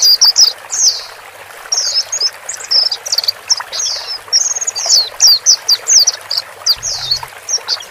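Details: White-eyes, male and female, calling to help a newly bought caged bird settle into its new cage alone: rapid, thin, very high chattering twitters in dense bursts over a steady hiss.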